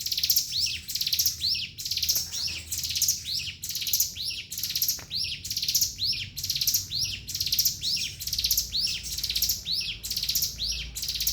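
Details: Javan sunbird delivering long ngebren singing, very high, buzzy, tightly packed phrases with hooked falling notes, repeated steadily about once a second for the whole passage.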